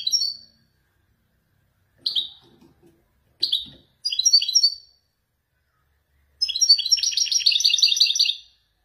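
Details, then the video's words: Moroccan Wijdani male goldfinch sings Marrakech-style descending phrases: short separate high chirps spaced about a second apart, building into a long, fast, jingling twitter in the final seconds; faint low room sounds. "حسون ويداني يتفنن بالنزولات المراكشية الأصيلة"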